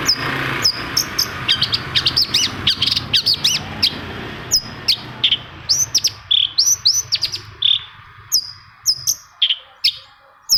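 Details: Long-tailed shrike singing to prompt other shrikes to sing. A fast run of high whistled slurs and clicks is followed by crisp, separated chirps as a low rumble fades away.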